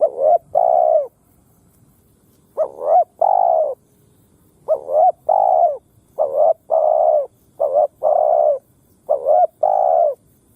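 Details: Lure spotted dove, kept on the ground to draw wild doves into a fight, cooing in steady phrases: two quick rising notes followed by a long sustained coo, the group repeating about six times with short gaps.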